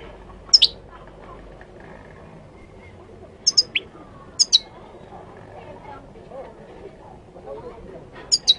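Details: Goldfinch from Morocco giving sparse, sharp high chirps in short pairs spaced several seconds apart. Quiet murmuring background noise fills the gaps.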